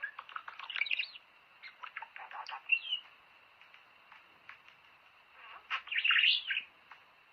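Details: Budgerigar chatter aimed at prompting birds to mate: soft intermittent ticking and scratchy notes, a few squeaks, and a louder, rising, squealing twitter near the end.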